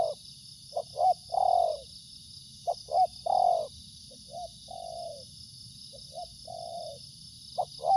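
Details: Repeated cooing phrases of a spotted dove, each pairing quick short notes with a longer mellow coo, about every two to three seconds, with a steady hiss behind.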